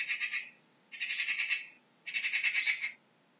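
A magpie gives three harsh, rattling chatters, each a quick burst of about eight dry clacks, spaced roughly a second apart; nothing else is heard.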